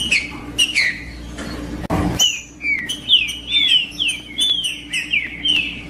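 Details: Song of a green-winged saltator, used to get other birds singing: bright whistled downslurs delivered in rapid series, broken by a short burst of rustling noise, over a faint low hum.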